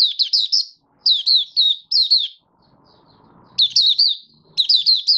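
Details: Oriental white-eye from Malaysia in 'buka' singing: repeated short bursts of four or five quick, high down-slurred notes, separated by a quiet stretch with faint low rumble.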